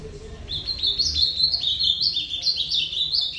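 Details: Ultramarine grosbeak singing a rapid warbled phrase of short whistled notes that step up and down, brightening through the middle before ending on a higher slurred note, with faint low background hum.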